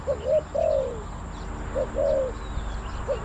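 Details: Spotted dove calls near a decoy site where wild birds are lured in, soft hooting coos with short notes followed by a longer falling coo, repeated twice, over steady low engine-like hum.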